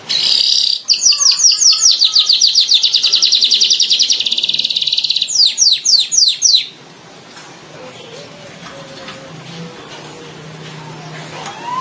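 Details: Streaked weaver gives a long, rapid, buzzy, high-pitched chattering trill of about six seconds, ending in a few sharper downslurred notes, followed by quiet background with faint low sounds.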